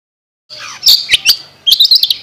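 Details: Long-tailed shrike chirping, used as a master bird recording: a brief run of sharp, high chirps and scratchy notes with short pauses between bursts, no other sounds.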